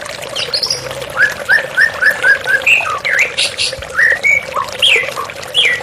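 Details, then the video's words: A white-rumped shama sings over running water in a therapy recording: a row of similar short whistled notes, then varied swooping phrases and high bright notes, with a steady water hiss. "TERAPI MURAI BATU Stres Macet Langsung pulih _ Terapi Murai Dengan Suara Air Mengalir"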